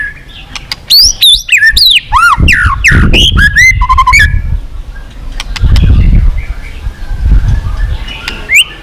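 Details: White-rumped shama in full, forceful song, used to stimulate other birds to duel: a rich tumble of swooping whistles, sharp chips and rapid notes, then fading to scattered faint calls over low rumbling.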